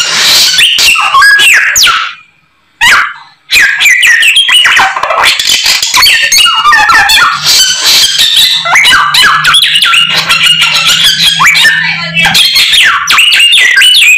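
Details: A white-rumped shama delivers a full, vigorous song of varied learned phrases, with rapid chatter and bright whistles, a brief gap around three seconds, and a faint low hum in the background.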